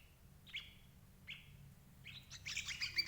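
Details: Lure recording of a sooty-headed bulbul for catching adult birds. A few level, slightly slurred chirps come first, then a denser burst of overlapping twittering notes at the end. Soft low-frequency background noise.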